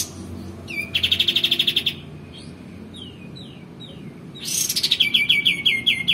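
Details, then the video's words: Male white-eared bulbul singing: two fast, rattling trills of bright high notes about three seconds apart, with a few quick down-slurred chirps between them; used as a training recording for other cage birds. "kapas tembak jantan gacor"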